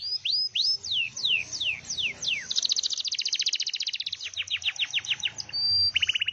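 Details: Canary singing vigorously: a run of high, steeply falling whistled sweeps gives way to fast rattling trills and rapid repeated notes, then a brief pure whistle and a closing buzzy roll. Faint low background hum.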